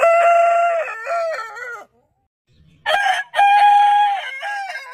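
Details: Rooster, one of the heritage chicken breeds in a crowing compilation, gives two loud harmonic crows: the first holds a steady note then drops and stutters off near two seconds; a second begins after a silent gap with a brief break.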